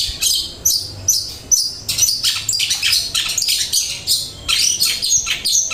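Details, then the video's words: Long-tailed shrike in full flowing song, high scratchy chatter and squeaky notes in quick bursts about twice a second, clean of low-pitched noise. "Cendet materi mengalir"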